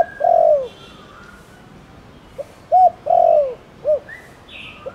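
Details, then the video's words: Spotted dove calling in the Thổ Đồng style to prompt other doves to call. A long descending croo and a short coo, then a pip, a clipped coo, another sliding croo and a short coo. Faint chirps of other birds sound in the background. "Cu gáy Thổ Đồng kích bổi nhanh nổi/Tiếng cu gáy Thổ Đồng gọi bổi nhanh gáy/Cu đất gáy gọi kích bổi"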